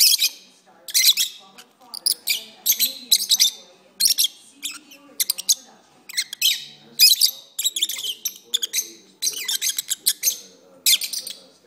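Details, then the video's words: Pet lovebirds that kept on singing: a continuous stream of high squeaky chirps and clicks, irregular and busy, with soft low sounds in the room. "my Lovebirds are singing"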